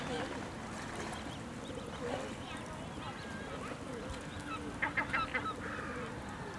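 Lesser black-backed gull giving a quick burst of harsh, nasal yelping notes toward the end, over a steady rushing background with faint murmur.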